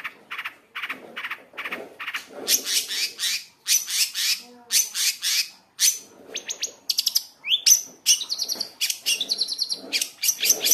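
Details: Long-tailed shrike song full of fillers, used to train young spotted shrikes and provoke caged ones: scratchy rhythmic bursts give way to varied phrases with thin high whistles and sharp rising notes.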